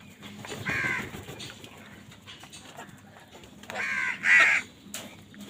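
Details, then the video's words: Crows squabbling over food, giving loud harsh caws: one near the first second, then a stronger pair around four seconds, over a low background hum. "কাকের ডাক Crow Sound Crow ki Awaz Loudly | Crow bird Fight for Food"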